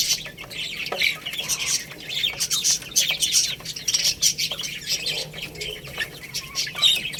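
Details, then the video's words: Several chicks peep busily while eating rice. Their high, thin chirps overlap in uneven flurries, with brief pauses and a few louder squeaky notes. "Beautiful Little Chicks Chirping Sounds"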